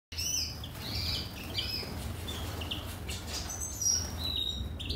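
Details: Captive-bred European siskins eating worms in Gozo, Malta, give thin, high twittering and wheezy chirps, several overlapping, over a steady low rumble of background noise.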